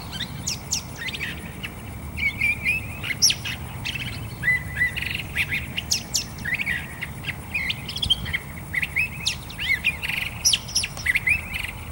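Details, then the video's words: A Curve-billed Thrasher delivers a long, continuous medley of quick, varied notes: sharp chips, burry trills and slurred whistles strung together in rapid succession. "Curve Billed Thrasher song"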